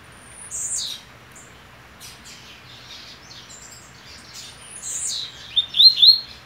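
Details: Caged double-collared seedeater on the eve of the year's most important singing competition, checking its perches while its mate nests beside it; scattered high chirps and slurred notes, ending in a quick run of short, louder notes.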